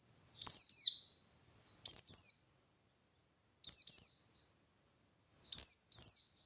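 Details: Buxtoni white-eye giving energetic ngalas song as a lure for answering birds; sharp, high, falling double whistles in four groups, separated by brief silences.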